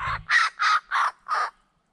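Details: Juvenile laughing kookaburra sitting in a tree in Belair National Park, South Australia, on 18 January 2020, practising its laugh: four harsh, raspy squawks evenly spaced about a third of a second apart, like a sore throat, a rough unfinished rolling laugh.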